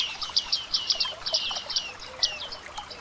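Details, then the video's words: Bearded reedlings in dense wetland reed beds give a rapid string of bright, high, down-slurred pinging notes, closely spaced and slightly overlapping, thinning out toward the end with a faint low rustle beneath. "Listen to the Bearded Reedling Real Wetland Sounds"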